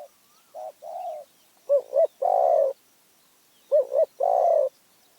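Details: Spotted dove in Phrae, Thailand, cooing in low, hoarse phrases: two quick short notes, then a longer drawn-out coo, repeated twice.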